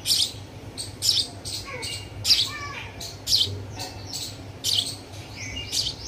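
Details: Baby sparrow, hungry, begging with insistent high piercing chirps repeated roughly once a second, with faint lower sliding whistles between and a soft steady background hum.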